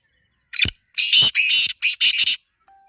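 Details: Black francolin (kala teetar), a kept bird, calling: a short harsh note, then a grating phrase of four to five loud, buzzy, rasping notes in quick rhythm over about 1.5 seconds. Quiet otherwise.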